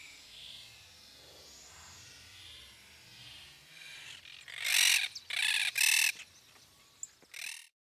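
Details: Chimachima, the yellow-headed caracara, in Gualeguaychú, Entre Ríos province, Argentina: a quiet start with faint distant birds, then three rough, grating screams in quick succession and one shorter final note.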